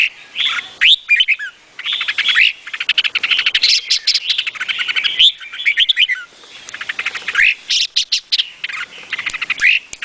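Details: Continuous energetic singing from a Vietnamese-type red-whiskered bulbul: long trains of fast, tightly packed chirps mixed with mellow warbled whistles, repeated in several rolling bursts.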